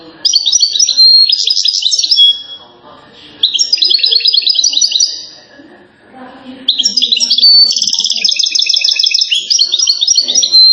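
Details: Goldfinch from Settat, Morocco, renowned for its singing, delivering long runs of fast metallic twitters and trills in three main bursts separated by brief quiet gaps, with faint low background noise.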